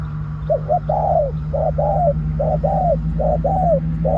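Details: Lure bird, a spotted dove, delivers sharp pak khruen coos, a brief stuttered note then a long sliding one, repeated roughly every second against a steady low electrical hum.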